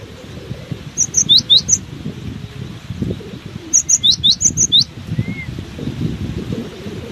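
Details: Cinereous tit singing despite strong gusts, two phrases of five or six quick high notes swinging between two pitches, with a faint thin whistle from another bird and constant wind noise.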